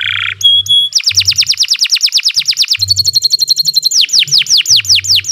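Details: Canary singing a long gacor song used as a master recording for training birds: a brief buzzy note, then rapid series of downward-swept whistles, a fast metallic trill, and sweeping slurs, over a low steady hum.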